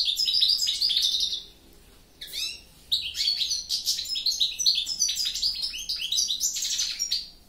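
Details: A goldfinch twitters rapidly in a jumble of high chirps, trills and slurred whistles. After a pause of about a second, it resumes a dense, rambling sequence at an irregular rhythm.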